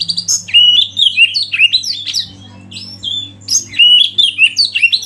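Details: Oriental magpie-robin song for training other birds, mixed with river flow and wild bird sounds: rapid varied whistles and sharp slurred notes in bursts, a quieter gap midway, over a steady low hum.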